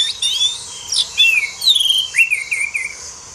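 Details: Oriental magpie-robin (kacer) song for masteran, tutoring songbirds: clear high whistled phrases, some sliding down and some rising, given in a flowing run of notes with brief pauses and a faint steady hum behind.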